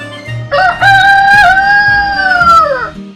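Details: Rooster crowing in one long cock-a-doodle-doo that opens with short rising notes, holds a strong level tone and falls away at the end, over quiet background music.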